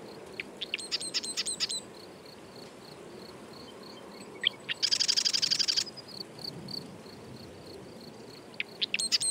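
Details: Marsh wren singing: scattered sharp high clicks and chips, then a loud rapid mechanical trill of about one second. More ticking notes follow after a pause.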